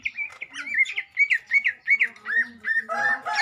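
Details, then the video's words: Green leafbird (cucak ijo) being given a mental test: a quick run of repeated bright whistled notes, about three per second, then slurred downward notes, ending in a harsh, noisy burst. "Tes mental cucak ijo"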